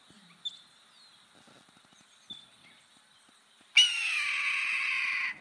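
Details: A red-tailed hawk gives one long, hoarse, high scream slurring downward for over a second, with faint thin whistles just before; this is the call often mistaken for a bald eagle.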